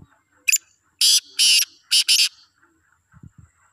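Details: Black francolin calling: a grating phrase of harsh, rasping notes, one short, two longer, then a quick double, all in about two seconds, followed by a few faint low thumps in a quiet rural setting.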